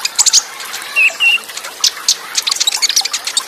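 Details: Olive-backed sunbird training song with Cililin-style bursts beside running, dripping water. High scratchy chatter alternates with two mid-pitched whistled notes, then a dense twittering flurry.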